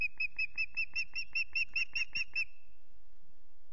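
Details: Unringed female osprey at Loch Garten calling for her absent mate: a fast series of about twelve clear, high whistled notes, roughly five a second, ending in a held tone, with faint low rumble beneath.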